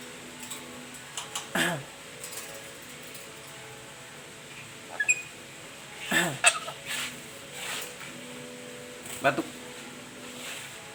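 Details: Black-capped lory, a pet bird that can talk, giving short harsh voiced bursts with falling tones, spaced several seconds apart, over a steady background hum and a few faint high chirps.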